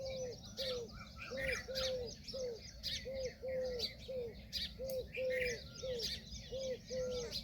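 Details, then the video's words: Female Indian peafowl calling with a steady string of brief, arched mid-pitched notes, roughly one and a half per second, over a busy backdrop of high twittering small birds. "Peahen bird the Indian peacock/most clear sound"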